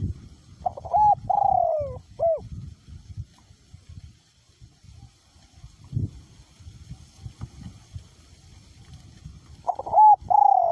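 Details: Strong wind around a decoy spotted dove whose voice is small to medium in pitch. One coo phrase opens, clipped rising notes, a long falling slur, a hooked note, then a long gap of wind before the phrase begins again.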